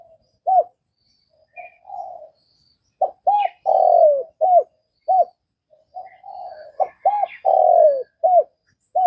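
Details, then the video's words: Repeated coo phrases of a Vietnamese spotted dove: soft murmured coos lead into bursts of short hollow notes, each with a drawn-out falling coo, roughly one note every second or so. Faint high chirps from other birds now and then. "Tiếng cu gáy Việt"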